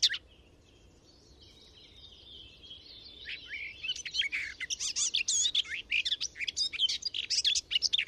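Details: Garden warbler in a hedgerow, parabolic microphone: after a brief opening note and a few quiet seconds with soft background, a dense, even warble of quick chattering notes builds and continues to the end.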